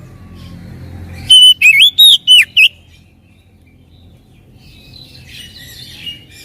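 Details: Short oriental magpie-robin phrase from a lure track for birds that rarely sing: five loud, quick whistled notes with wavering, looping pitch, followed by quiet and faint distant chirping.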